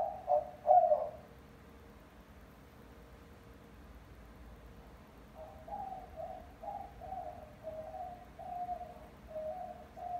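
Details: A hand-raised pet female white-winged dove, about five months old, coos: two loud hooting coos, then after a pause a soft, low run of about eight pulsing coo notes. She always gives these same two calls.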